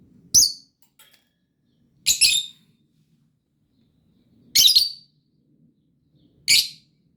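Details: Morning calls from lovebirds: four loud, shrill, piercing shrieks, each brief and harsh, spaced about two seconds apart, with a faint low rumble in the background.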